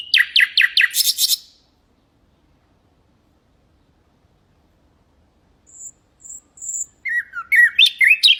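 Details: Common nightingale song played to train goldfinches and canaries: a rapid series of descending notes, a long silence, thin high whistles, then a jerky, rising and falling warble.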